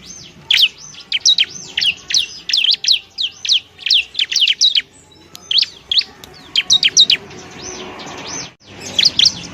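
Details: Training song of a bar-winged prinia: bright, high chirping notes delivered in quick groups, some arched and ringing, with short pauses and a low rustling background.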